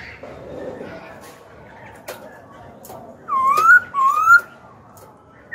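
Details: Young pet Black-throated laughingthrush singing to spur rival birds and teach young birds: after quiet background with faint voices, two clear rising whistles sound in succession near the end.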